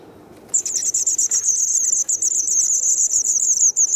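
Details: Two days before fledging, white wagtail chicks in Kumiyama, Kyoto, Japan, on 3 June 2019 as parents bring food: sudden onset of a high, shrill, rapidly pulsing squeal, steady for over three seconds.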